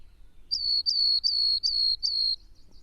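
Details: Rock Wren singing from a rock high in a canyon in southeastern Arizona's Madrean Sky Islands: five high, buzzy trilled notes about every third of a second, a distinctive waiting-then-going pacing, with a faint low hum beneath.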